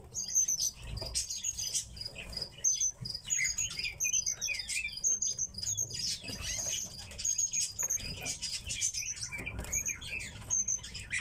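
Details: Kept tits calling: many thin, high chirps and short twittering notes in quick, irregular bursts, several birds overlapping throughout, with a faint low background hum.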